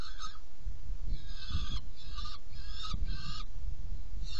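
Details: Saker falcon nest box during feeding, 17 June 2018 at 10:31: hoarse, drawn-out calls, some lasting about half a second, repeat roughly every half second, with thumps and low rumble underneath.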